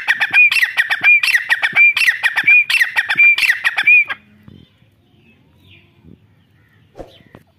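A grey francolin gives loud, shrill, harsh phrases, about six in quick succession at under a second apart, each with a clipped whistle. Then it falls quiet with faint background sounds.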